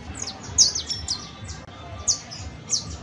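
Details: Saffron finch (canario basto) song: a few isolated high, sharp downslurred chips with pauses between them, set against a faint low hum.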